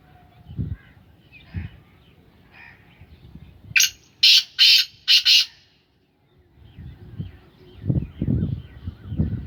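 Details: Captive black francolin, Sindhi Gangas strain, delivers a five-note harsh screechy call mid-way, notes short-long-long then two quick, framed by low thumping and rustling noises before and after.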